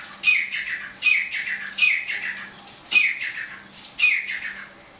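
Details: Black francolin calling, a prized kept bird: five harsh, grating phrases repeated roughly once a second, each opening with a sharp squeaky note and fading into a rasping tail, over a steady low hum.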